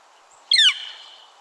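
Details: One abrupt, piercing 'kia' note from a Northern Flicker, slurring downward and dying away within a fraction of a second in otherwise still surroundings.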